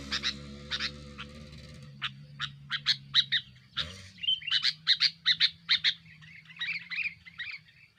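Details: Sooty-headed bulbul's noisy song for pressuring rivals and luring: spaced sharp chirps over a low drone that gives way to faster chattering notes and a soft bubbling warble at the end.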